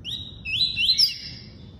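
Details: Short phrase of tuí-tuí song from a double-collared seedeater: a continuous run of bright whistled notes rising and falling, with a faint low rumble behind.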